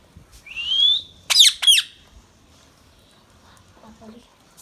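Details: Young rose-ringed parakeet, a baby ringneck or Indian green parrot, gives one long upward-sliding whistle followed by two quick, shrill squawks, then falls quiet apart from faint low murmurs.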